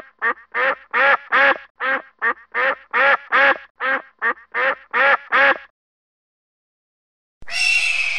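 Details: Duck giving a fast run of rasping, nasal quacks, over a dozen in under six seconds, then a pause of silence before a burst of broad, hissing noise at the end.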